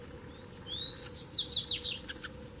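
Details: Three male double-collared seedeaters arrive together for a duel; two rising whistled notes open into a fast, loud, scratchy high twittering flourish ending in sharp clicks, with a low background hum.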